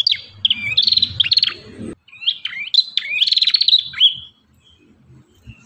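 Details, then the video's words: Ashy tailorbird, a training recording of an energetic singer: bright chirpy phrases of rapid repeated notes with quick downward slurs, two bursts separated by a brief pause, with faint low rumbling underneath. "MASTERAN BURUNG PRENJAK KEPALA MERAH"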